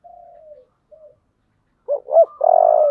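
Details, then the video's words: Spotted dove singing in the thổ voice: a soft falling tone and brief note, then a pause, two quick husky coos and a long sustained vibrating coo, close and clear. "cu gáy giọng thổ"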